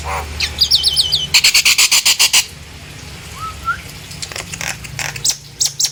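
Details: Song of a Nias hill myna meant to entice other hill mynas to sing: a quick series of loud, sharp clipped notes, then quieter scattered calls and a soft rising whistle, with a low hum underneath.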